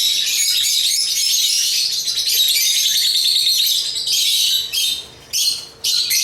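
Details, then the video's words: Chattering song of African lovebirds: a continuous stream of high, scratchy chirps and squeaks, with brief gaps toward the close. "African Love birds Agapornis chirps singing sounds"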